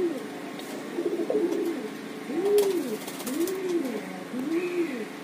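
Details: Domestic pigeons of different breeds kept at home give soft, low, rolling coos, each rising then falling, repeated about once a second.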